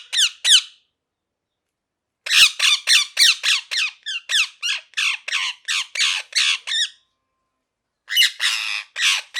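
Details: Parrot chattering in rapid runs of bright, downward-sweeping chirps, a dozen or more notes in a burst, with breaks of silence between runs, indoors.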